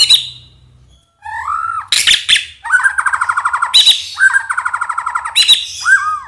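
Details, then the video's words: White-rumped shama lure song meant to prompt silent or unresponsive birds to sing back: rapid rattling trills of repeated notes alternating with harsh noisy bursts and upswept whistles, a steady low hum beneath. "Suara pancingan murai"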